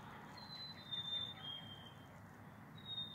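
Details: A group of black-capped chickadees sings to each other, giving clear, pure whistles that slide gently downward, one long note followed by another starting near the end, over faint outdoor hiss.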